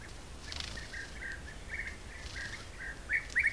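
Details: European bee-eaters from a colony of about 20–30 birds visiting an apiary at Corte Franca, Italy, caught on a camera trap, give soft, rolling 'prruip' notes overlapping at a quick pace, then two louder calls, over low hiss.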